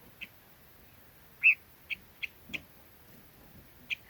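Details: Red-billed leiothrix giving a few sparse, brief whistled notes, one louder slurred note standing out, over a quiet background.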